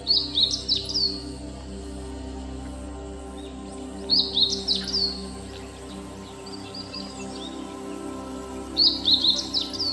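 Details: Meadow bunting (Emberiza cioides) on Mt. Haruna, Japan, gives short, bright, high twittering phrases about every four seconds over a low, steady hum.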